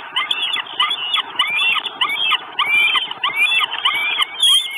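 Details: Northern goshawk chicks calling at the nest in Estonia, recorded by a live nest camera on 2 June 2022; looping, whistled squeals with upswept ends, repeated about every half second in a fairly regular series, light rustling below.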